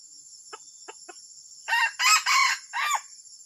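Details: Junglefowl giving an unusual crow after a few faint clicks: four loud, harsh, rasping segments, the last one arched and falling away. A steady high insect-like whine runs throughout.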